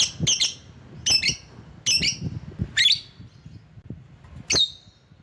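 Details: Lure call of a lovebird to attract rivals: five sharp, shrill squawks spaced about a second apart, the last after a longer pause, over faint low background noise.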